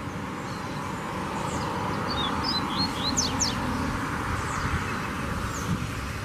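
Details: Wild lined seedeater singing in nature, a short run of thin, high slurred notes and quick downward sweeps, faint against a constant low background rumble.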